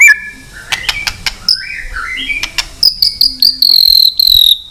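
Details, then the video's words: White-rumped shama giving a long song to provoke fighting, with tail-flicking clicks. Sparse sharp clicks and short whistled notes lead into a long, thin, high whistle that slowly falls near the end. "chòe lửa kéo dây dài cực phê. đập tạch đuôi kích đấu. chòe lửa hót giọng dài kích lửa"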